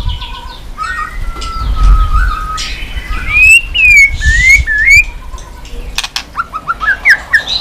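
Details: Chòe lửa, the white-rumped shama, singing on cue with tail-flicking. Smooth held whistles and swooping rising-falling phrases, then a run of short upslurred notes, over low rumbling.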